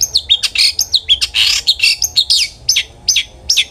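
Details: Long-tailed shrike in full song, used as a lure to make other shrikes sing, pouring out rapid high chirps and looping whistled notes, with a brief harsh buzzy burst midway, then evenly spaced sharp tweets.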